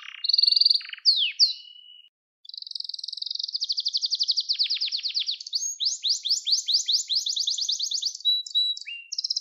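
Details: Canary song from a Gloster, intended to train and rouse canaries: opening whistled and buzzy phrases, a short silence, then a long accelerating rolling trill followed by loud sweeping repeated notes.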